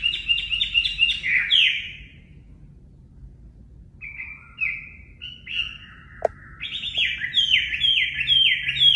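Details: A wild-type Chinese hwamei, recorded for song training, sings loud, rich phrases of repeated slurred whistles, several notes per second, with a brief pause midway before the song resumes.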